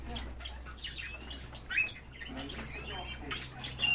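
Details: Several European bee-eaters giving a busy chorus of rolling, slurred chirps that rise and fall, overlapping constantly, with a low hum underneath.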